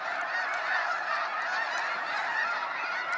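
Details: A massed flock of snow geese leaving Sacramento National Wildlife Refuge at sunset, countless yelping honks blending into a steady roar of calls with a few clearer notes standing out.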